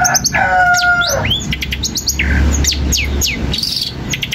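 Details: Long-tailed shrike singing, used to make other shrikes respond: a drawn-out harmonic note early on, then scattered high sweeping whistles and quick downslurred chirps over a low background hum.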